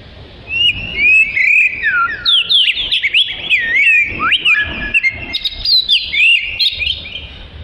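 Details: An oriental magpie-robin sings a rich, varied, fast run of whistled notes, sharp upslurs and downslurs, and short trills, with almost no pause. The recording is offered as song material for training other birds.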